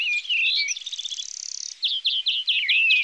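A European greenfinch sings quick twittering notes, then a long nasal buzzing wheeze, then a run of fast chirping trills. No other sounds stand out.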